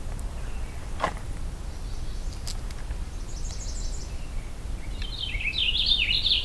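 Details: From the crown of one of the tallest jack pines near an old hunt camp, a Purple Finch bursts into a brisk, jumbled warble near the end, after faint distant chirps and a few sharp clicks on an overcast morning.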